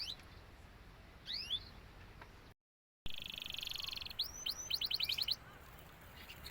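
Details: Female canary kept by a breeder, described as not yet ready to breed; a few high sweeping notes, a short gap, then a quick burst of about eight sharp rising chirps in a row, with a buzzy hiss.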